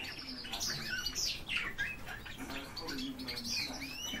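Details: European bee-eaters in a lively group chorus of quick, rolling, upslurred chirps, many birds overlapping rapidly with no pauses.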